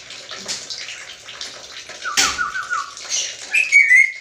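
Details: A black-capped lory, said to talk like a human, gives a quick run of stepped, falling whistled notes, then a sustained high whistle, over a steady hiss like running water.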